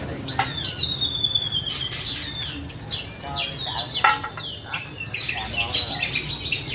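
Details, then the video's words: Singing white-rumped shama: a long pure whistle, then sharp downslurred notes and quick chirps in short bursts, over a faint low hum. "Bird White-rumped shama - Beautiful Birds,Dancing And Singing Chirping Sounds Great"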